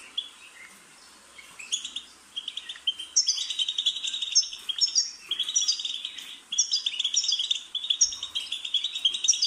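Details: Goldfinch song from a stimulation recording for pet birds: a few quiet chirps at first, then long bursts of rapid tinkling twitter and buzzy trills with brief gaps between them.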